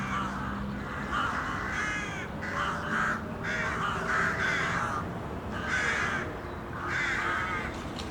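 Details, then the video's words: City crows in a noisy gathering, grating caws repeated about once a second in loose series, several birds answering one another over faint background hum. "A Murder of City Crows. Relaxing Sounds."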